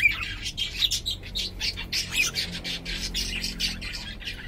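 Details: Pet cockatiel of unknown sex chattering in quick, rough chirps repeated several times a second, fairly steady throughout, over a faint low hum.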